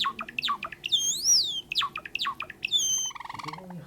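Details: Captive sakura-variety Java sparrow in song: quick falling clicks, then a long, high, arched whistle that rises and falls. Later comes another drawn-out whistled note, followed by lower, rattling buzzy notes.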